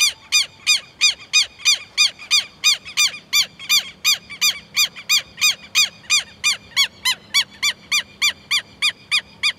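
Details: Southern lapwing calling persistently, with harsh, metallic, arched notes repeated about three per second at a fairly even pace and steady loudness, and a low steady hum in the background.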